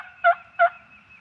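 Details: A turkey heard on the 2023 Tennessee opening-day hunt: two short, loud, nasal notes with rich harmonics, about four tenths of a second apart, over a faint sustained tone and near-silent woods.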